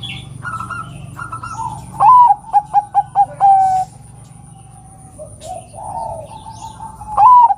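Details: Perkutut, or Zebra dove, of Bangkok type: a female calling so that males will sing. Soft coos lead into a loud phrase of rising note, quick clipped notes and a long coo, and a second phrase begins at the end.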